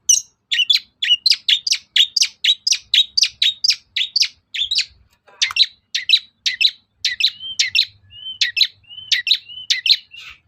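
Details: Long-tailed shrike provoking song used to spur caged birds to reply: rapid run of sharp chipping notes, roughly two per second, then a brief pause, a rasp, and more chips mixed with short level whistles.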